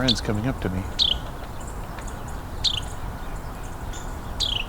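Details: A Carolina wren gives three sharp, high peeps that slur downward, spaced about two seconds apart, near a creek bank during a winter Christmas Bird Count. The bird came close to the recorder. A man speaks briefly at the start.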